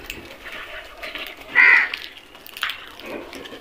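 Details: One clear, raspy crow caw stands out midway over soft, murmuring background noise and faint other calls.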